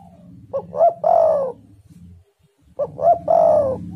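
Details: Spotted dove singing, a recording meant to lure doves into song: two phrases, each short notes leading into a long vibrating coo, over a steady low droning hum.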